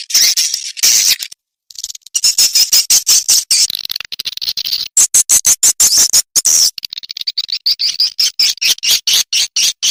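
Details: Edible-nest swiftlet call to draw swiftlets into a nest house: buzzy chattering chirrs alternating with fast regular clicking ticks.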